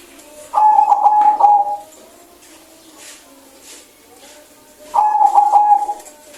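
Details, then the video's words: Zebra dove singing: two clear bursts of fast pulsed cooing trills, each over a second long, separated by about three seconds of near silence with faint background sounds. "PERKUTUT LOKAL GACOR SUARA BENING"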